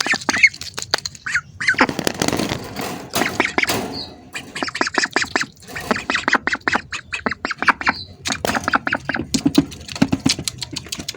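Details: A crowd of hungry ducks keeps up a constant clatter of short squawks and quacks, packed densely with few breaks.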